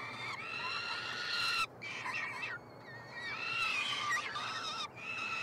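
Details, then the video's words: Peregrine falcon chicks, hatched 26–27 May 2022, begging while fed in a Montreal university nestbox, Quebec. Harsh screams with wavering, bending pitch come in bursts, interrupted by two clear pauses, with voices overlapping near the end. "Faucons UdeM en direct / Live Stream - Karmienia " trojaczków ""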